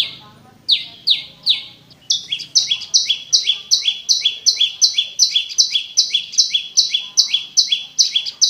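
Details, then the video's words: Prinia in clear song, meant to prompt a caged bird that has stopped singing: a few slower falling notes, then a fast run of paired high and lower chirps alternating steadily, about two and a half per second. "SUARA BURUNG PRENJAK LUMUT"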